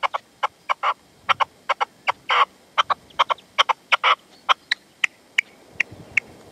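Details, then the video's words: At sunset in the sierra near Manzanares, 27 February 2014, a partridge calls with a decoy bird (reclamo) while the male stays away; rapid, rasping, clipped notes repeated steadily, some doubled and louder, over a quiet background. "PERDIZ Y RECLAMO"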